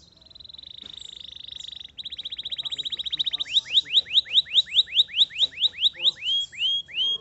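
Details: Canary singing: a rapid buzzy high trill, then a faster rolled series, then a run of loud repeated downslurred whistled notes about three per second, clear and close with faint low background hum.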